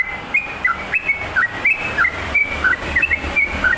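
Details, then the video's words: Sooty-headed bulbul delivering rapid liquid whistles that dip and rise, fairly soft against a hissy, noisy background. "SUARA TRUCUKAN GACOR"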